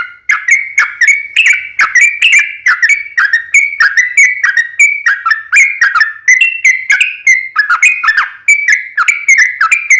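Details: Sooty-headed bulbul pouring out a long rapid lure song to provoke other bulbuls: ten seconds of unbroken, fast whistled notes, each with a sharp attack and a sliding pitch.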